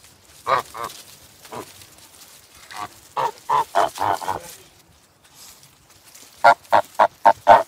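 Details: Farm goose calling in bursts of nasal honks: a pair, a single note, then a quick run of five, and finally a rapid series of six clipped honks.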